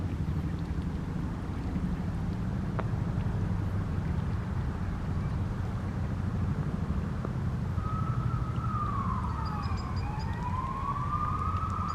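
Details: A steady low engine rumble fills the clip, and a rising and falling siren wail comes in near the end; no animal calls are heard.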